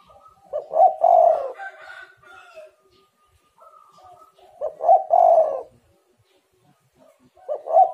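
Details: Lure recording of a spotted dove to start other doves calling: two strong hoarse coo phrases about four seconds apart, softer trailing notes between, a third phrase starting at the close.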